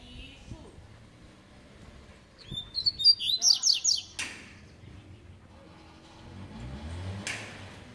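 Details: Tui tui song style from a spirited double-collared seedeater: a rapid series of about six high, sharp, descending chirps lasting under two seconds, with two loud broadband noises and low background rumble.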